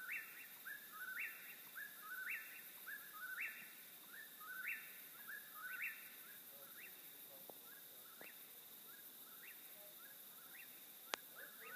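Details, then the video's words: Eastern whip-poor-will repeating its whistled phrase about ten times at roughly one-second intervals, loud at first and fading weaker toward the end, low slur rising sharply, over constant hiss with a sharp click near the end. "Wiper Will Call"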